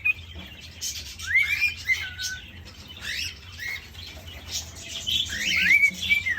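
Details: Caged male cockatiel courting a female in an indoor aviary, giving a few short rising and falling whistles among scratchy chirps, rustling and a low background hum.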